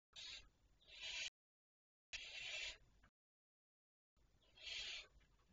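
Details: Barn owl at 02:53 on 23 May 2023 giving three harsh, hissing screeches, each about a second long, separated by pauses of roughly a second; no other sounds.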